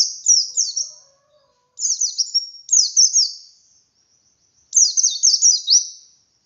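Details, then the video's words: High, rapid twittering song of a wild pleci, given in four short phrases of slurred descending notes with brief gaps; meant as a lure to get captive pleci singing. "Suara Burung Pleci Ngalas Untuk Pancingan Pleci Bahan"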